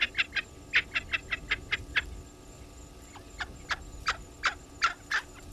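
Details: Spurfowls at a waterhole on Djuma Game Reserve, Sabi Sand, South Africa: a rapid string of harsh cackling notes that pauses, then resumes more slowly and loudly.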